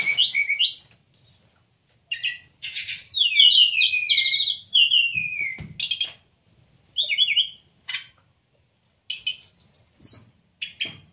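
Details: Song of the brown-chested jungle flycatcher, used to train caged birds to sing. Bursts of tumbling, overlapping whistled notes, dense and fast in the middle, separated by silences, ending with short scattered high chips.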